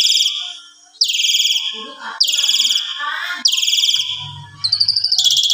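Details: Asian pied starling, evening full-isian song meant as a master for other birds: broad, rasping buzzy notes about once a second, a faint lower chatter between them and a low hum near the end.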